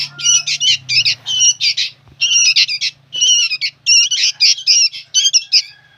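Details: Noisy young sooty-headed bulbuls calling insistently: rasping, buzzy squawks repeated in quick groups, with brief pauses between bursts and a faint low hum early on.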